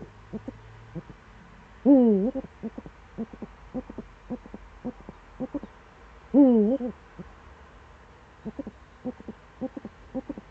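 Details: Eurasian eagle-owl in the Eifel, 26 September 2013, early morning around seven: two loud, wavering, rich-toned hoots about four seconds apart, set among many short soft knocking pulses in a quiet background.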